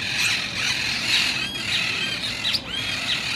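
Monk parakeets squawk continuously in harsh, grating, overlapping calls, many birds chattering at once with shrill rising and falling notes.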